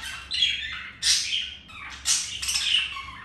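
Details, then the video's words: Budgerigars mating, the male having been rejected earlier by a white-grey budgie; harsh, buzzy squawks and scratchy warbled notes come in three bursts, each about half a second to a second long, with faint low hum beneath. "Budgies mating"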